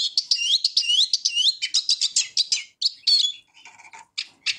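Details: Eurasian siskin song opening with looping whistled twitters, then buzzy chatter fading into softer scattered notes toward the end.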